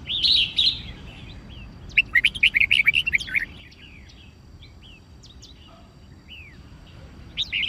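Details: White-cheeked red-whiskered bulbul singing a fighting song meant to train birds to pick up songs: a loud warbled phrase opens, followed by a quick chattering series of clear whistles, then scattered fainter notes.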